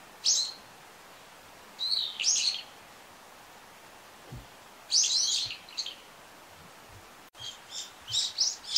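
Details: Brown-eared bulbul calling frequently: loud raspy, shrill bursts in groups, with a short pause between and a quieter series of notes at the end.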